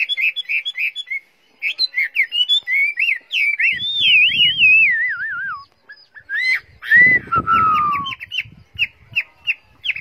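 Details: Tame Chinese hwamei in a cage, a bird kept in Vietnam's northwest hill-country tradition, singing quick clipped whistles, then a long wavering slurred phrase falling in pitch, followed by more rapid staccato notes; faint low rustling underneath.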